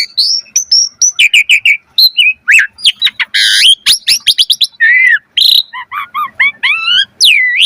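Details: Asian pied starling in lively full song with varied mimicry: rapid sequences of high whistles, sharp chirps, buzzy notes and rising and falling slurred phrases, delivered loudly and continuously with brief gaps.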